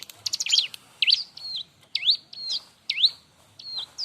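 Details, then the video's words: Lively Bar-winged prinia singing a loud, spicy song meant to train young birds: a rapid chirped burst, then repeated sharp V-shaped sweeps alternating with flat high notes. "suara r!but burung ciblek-cocok untuk masteran"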